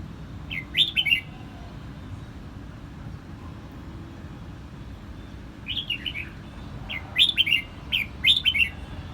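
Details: Song of a red-whiskered bulbul in Quang Nam, Vietnam: short, lively phrases of sweet, rolling whistles, one early burst, then three quick phrases in close succession toward the end, against constant low-pitched background hum.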